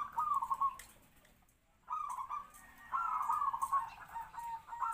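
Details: Captive-bred local zebra dove used for luring wild birds; brisk, bubbling kwor-kwor coo phrases, a short silence, then longer trilled phrases continuing.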